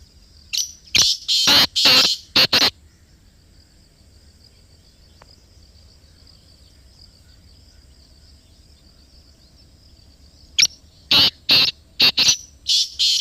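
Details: Close-up recording from Pakistan of a black francolin (Kala Teetar) giving two loud rasping call phrases of about five harsh, buzzy notes each, separated by roughly eight seconds of near silence with a faint high insect hum.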